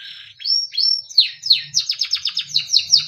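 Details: A small yellow Timbrado canary sings a training melody: slow upward-arching whistles give way to a quick rhythmic series of sharp descending chips, about eight a second, over faint low rumbling.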